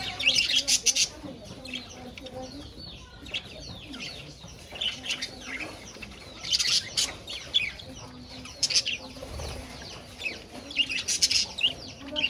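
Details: Caged budgerigars sharing their cage with a rabbit chatter in rapid bursts of high, scratchy chirps and warbles, loud clusters returning every two seconds or so over a quieter background.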